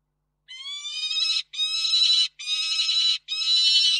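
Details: At a Reda peregrine falcon nest, 4 May 2023, as the male delivers food and the female feeds: four drawn-out, strained screeching wails in a steady series, each about three quarters of a second long.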